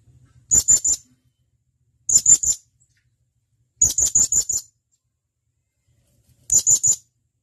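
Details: Sharp, high-pitched calling of a male blue-crowned hanging parrot summoning companions, for training captive birds: four clusters of quick staccato notes, three to five per cluster, spaced roughly every one and a half to two seconds.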